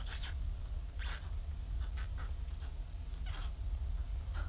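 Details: White stork chicks in Ustroń, hungry on 15–16 May 2019 with their mother missing since early morning in poor weather, give scattered cat-like mewing cries, a few seconds apart, over a steady deep background roar.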